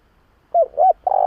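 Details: Spotted dove calling, a recording used as a lure for doves: two quick rounded coos, then a drawn-out steady coo that is cut off at the end, low and mellow against silence.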